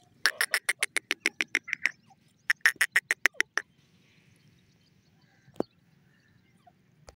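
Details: Grey francolin calling: a fast series of loud, harsh, clipped notes repeated about three times a second in two bursts, then quiet with a low background hum and one sharp click.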